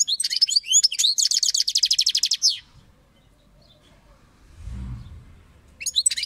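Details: A European goldfinch delivers twittering chirps, then a long, rapid, evenly pulsed buzzy trill of over a second, followed by a pause, a soft low rumble and a fresh burst of twitters at the end.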